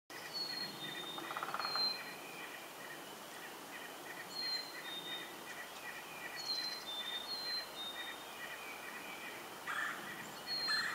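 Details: A Black-capped Chickadee in Durham, NH, on April 19, 2015, whistles its clear two-note fee-bee, the second note lower, repeated every two to three seconds over steady hiss and faint chirps.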